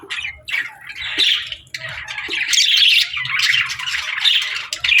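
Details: Feeding-time chatter of pet budgies, short squawky chirps at first, then a continuous grating, warbled babble from several birds that runs to the end.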